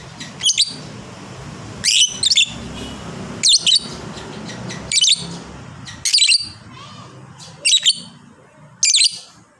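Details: Fighter lovebird kept by bird hobbyists, repeating short shrill squeaky bursts, seven clusters spaced one to two seconds apart, each a quick tumble of high chirps, with low background rumble.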